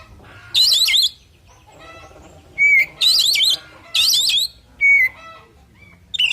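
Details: Loud oriental magpie-robin fighting song, a few strong bursts of rasping, tumbling phrases each ending or led by a clear whistled slur, separated by brief quiet spells.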